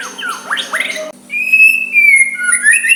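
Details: White-rumped shama singing softly to provoke a rival's reply: a fast run of swooping, warbled notes breaks off abruptly, followed by long clear level whistles that step down then rise.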